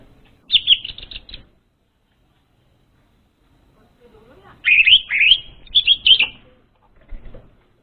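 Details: Orange-headed thrush song, used as a lure sound for untrained birds: a short burst of high, rapid whistled notes, then a pause, then a longer run of slurred, twisting whistles, with a faint note near the end.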